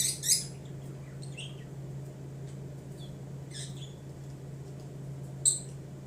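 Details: Pet budgerigars singing, giving brief bright chirps and squeaky notes spread across six seconds, loudest at the start and near the end, over a constant low mains-like hum.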